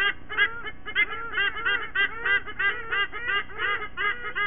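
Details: White-bellied sea eagle family at a nest in Sydney Olympic Park, Australia, recorded by nest camera on a September 2023 morning: two chicks joining the adult pair's morning singing ritual, rapid nasal honking notes, about three per second, in a steady overlapping chorus.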